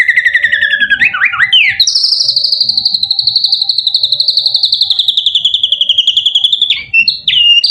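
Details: White-rumped shama in full song, used as a lure to make other shamas answer: brief varied whistles rising and falling, then a long, fast, buzzy pulsed trill held at high pitch for about five seconds, with a steady faint low tone beneath.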